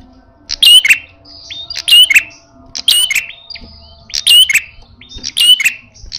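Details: A red-headed prinia in aggressive, fighting-style song gives loud, sharp bursts of high chattering and ticking notes about once a second, with brief quieter pauses between bursts.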